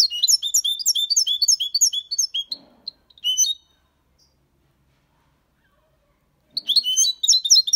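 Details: European goldfinch, six months old, delivering Malaga copy-style song as rapid high twittering with buzzy slurs, breaking off for several seconds of silence before resuming.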